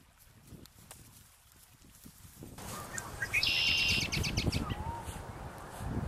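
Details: A lone Red-winged Blackbird hiding in a bush gives a single high, buzzy, rattling burst lasting under a second, over steady low rumble and wind-like noise.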